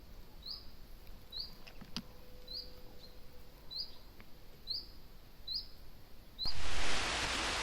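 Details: Eurasian nuthatch giving its alarm call, caught by a camera trap on a protected islet in the Udai River floodplain, Ukraine, on windy days: about eight short, sharp, high rising notes spaced under a second apart, ending in a loud gust of wind.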